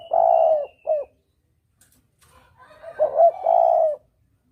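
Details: A spotted dove's clear double-coo lure call, meant to draw doves for hunting: a long hollow coo and a short one, a pause, then a rising broken note into a long sustained coo, with a faint high whistle.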